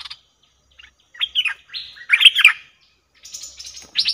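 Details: Cream-vented bulbul lure call for trapping, recorded 02/11/2021: scattered chirps and slurred bubbling notes, with a few thinner, higher, drawn-out whistles toward the end.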